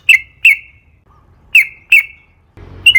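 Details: Sooty-headed bulbul lure recording meant to stimulate other bulbuls to sing: five sharp, bright chirps spaced irregularly across three seconds, each with a quick downward slur, with a short burst of low rumbling at the end.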